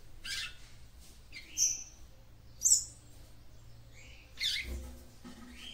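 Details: Stimulating song of a female capped seedeater for the male: sharp high chirps and short whistled notes in irregular bursts, over a low hum.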